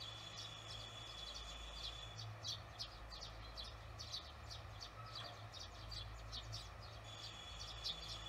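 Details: Evening barn swallows recorded June 18, 2020; quick high twittering chirps come in loose bursts, set against a constant thin whine and a deep background hum.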